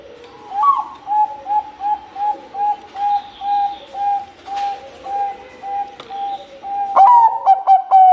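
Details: Zebra dove, Bangkok type, singing hard. A long, even string of soft, low coos comes roughly every 0.4 seconds. It ends in a louder phrase of a rising note and rapid staccato notes, with faint chirps of other birds behind.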